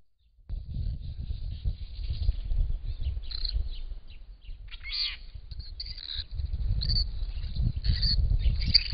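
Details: Purple-crowned lorikeets, two adults and two young just out of the nest, near a garden pond with a Little Lorikeet; shrill, harsh screeches come in short bursts through the second half over a steady low rumble.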